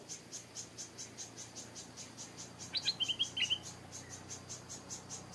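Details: Captive decoy Stripe-throated Bulbul kept in a backyard, calling to lure wild birds; its mate lives nearby. A brief bright phrase of several quick warbled notes sounds midway, over steady rapid insect pulsing throughout.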